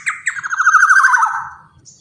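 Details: A big black-naped oriole, meant as a lure for its kind, utters a short rasping call: quick stuttered notes merging into a buzzy, descending, nasal slur.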